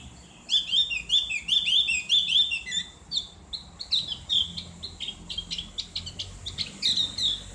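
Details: Javan grey-throated white-eye in the ngriwik style, a loud open song for bird therapy: a run of quick high twittering notes repeated about twice a second, then scattered sharp chips and brief trills.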